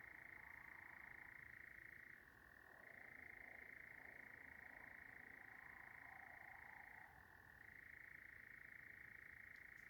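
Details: A European nightjar churring on a very warm, sultry July 9th summer evening in darkness in tinder-dry Sherwood Forest, England: a steady, dry, mechanical trill running on without a break, dropping briefly in pitch twice before resuming.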